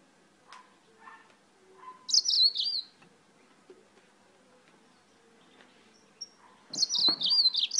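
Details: Yellow-fronted canary, imported from Spain, singing a lot: two bright bursts of fast, high, sweet twittering song, preceded by soft scattered clicks and taps in the background.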